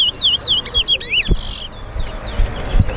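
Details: Towa towa, or lesser seed finch, competing in a singing race at Lusignan bird ground in Guyana. Quick series of clear whistled swooping notes, then a sharp noise burst and quieter background with a voice counting.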